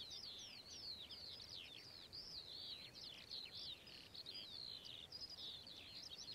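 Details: A Whinchat delivers a rapid, chattering warble of short scratchy phrases and sharp downward-slurred notes, steady and high, with only brief gaps and soft background noise.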